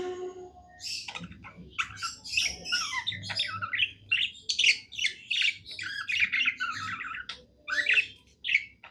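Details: Happy pet budgerigar singing: dense chattering warble of rapid squawky notes and short whistles, mostly high-pitched, with brief pauses between bursts.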